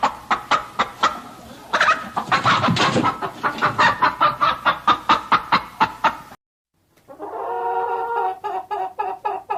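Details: Chickens cluck in a rapid, fairly steady run of short notes. After a brief break, a different, more tonal run of repeated clucks follows.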